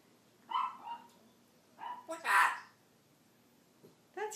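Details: A 14-year-old female African grey parrot kept as a pet mimics speech: a few short, voice-like harmonic syllables and a louder, rasping burst near the middle, with a person speaking softly around it.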